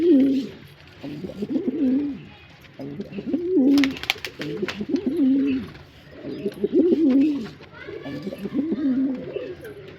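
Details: Male pigeon giving repeated rolling coos in bursts of low, wobbling notes about every two seconds, with a short sharp clatter near the middle.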